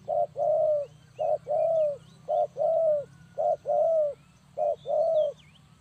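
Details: Spotted dove call used to lure birds for trapping. Five clear pairs of soft coos, a clipped first note and a longer slightly falling second, with thin whistles of other birds in the background.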